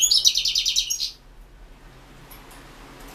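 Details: European goldfinch singing a competition entry for the 2016 World Championship in Goldfinch Song, held over the internet; a fast, high, buzzy trill of rapidly repeated notes lasting about one second, then near silence with faint distant chirps.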